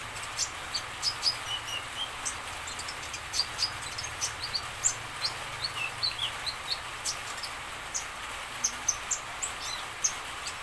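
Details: Common iora song used to get other birds answering: a long series of high, brief chirps and thin whistles, fairly evenly repeated about twice a second, over a constant background hiss.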